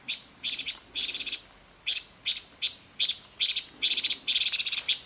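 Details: A silver-eared mesia at Fraser's Hill, Pahang, Malaysia, in 2023, scolding angrily when no food was found, gives harsh, rasping chatters, about a dozen high buzzy bursts in five seconds, some single notes and some stuttering runs, at an uneven pace.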